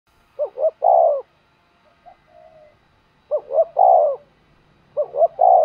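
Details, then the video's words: Spotted dove cooing to provoke and lure wild doves, a call used for training decoy birds; three phrases, each two short rising coos then a long, low, throaty note, with soft faint coos between, quiet background. "tiếng chim cu đất gáy kích bổi tập mồi hiệu quả"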